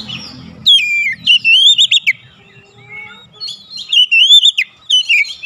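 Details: Oriental magpie-robin singing to provoke rival magpie-robins, a brief low rumble at the start, then bursts of rich warbled whistles with quick slurred notes separated by short pauses.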